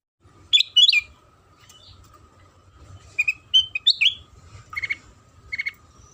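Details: Lure song of a sooty-headed bulbul, meant to make other bulbuls sing: loud slurred chirps at first, then a quieter pause and a run of varied short whistled and chirped notes, with a constant faint hum behind.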